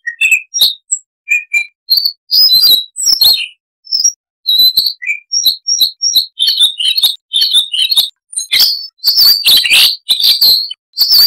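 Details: Siberian rubythroat song, many varied notes in a long chattering performance: scattered high chips and whistles building into dense twittering bursts, almost continuous over eleven seconds, no other sounds.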